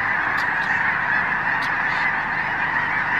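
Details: A vast flock of Snow Geese wintering at Blackwater National Wildlife Refuge, Maryland, recorded 18 February 2023 from the Wildlife Drive: loud, steady roar of many honking birds calling at once, a few higher notes standing out.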